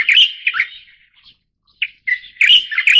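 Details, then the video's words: Light-vented bulbul of the Taiwan endemic subspecies Pycnonotus sinensis formosae, filmed in Taiwan: loud, varied chirping phrases around the mid-high range, a burst of notes, a short pause, then another rapid warbling burst. "白頭翁(白頭鵯)/Light-vented Bulbul"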